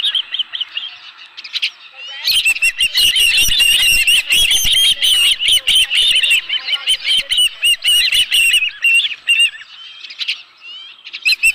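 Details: Osprey at Dunrovin Ranch, 11 July 2018, at the nest with a live fish. A few thin whistles give way to a long burst of fast, piercing chirps, about two per second, over crackling nest noise. The chirps fade near the end.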